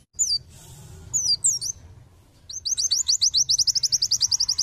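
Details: White-eye (pleci) in full song to lure other birds: a few high slurred chirps, then a long, very rapid, even trill of repeated sharp notes, nearly four per second.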